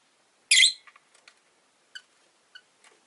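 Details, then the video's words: A rosy-faced lovebird, one of five orange-faced green birds caged near a window, lets out a loud harsh squawk followed by a string of quieter clipped notes and thin chirps. "Lovebird Chirping Sounds"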